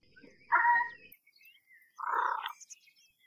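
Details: American white ibis calling: two short, harsh, nasal honking bursts about a second and a half apart on a quiet background.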